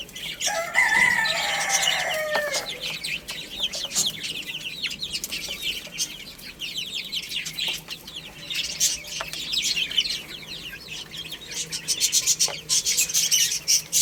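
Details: Young chicks playing and eating, many high piping peeps in a busy, uneven chorus. A louder harsh adult call opens the recording, and occasional tapping and rustling sounds are heard throughout.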